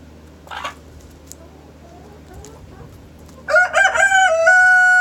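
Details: Rooster crowing in the morning, beginning after faint distant sounds with a choppy, stuttering start that settles into a loud steady sustained note.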